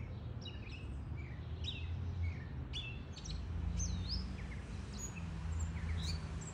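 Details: Male Gray catbird, hand-tame and fed raisins, back in a backyard after migrating home for his fifth year, singing, probably for a mate: faint, scattered chirps and slurred, varied notes in an irregular jumble over a steady low rumble.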